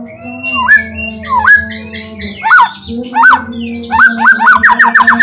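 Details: White-rumped shama song used to lure other shamas into song: rich, fairly low whistled notes that swoop up and down, spaced out, then a fast run of repeated whistles at the end, with a steady low hum.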